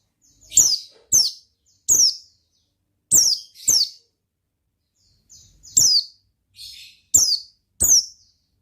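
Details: Oriental white-eye in 'gacor ngalas' song, piercing high downslurred chirps in twos and threes, a short silence, then more chirps mixed with a softer buzzy note.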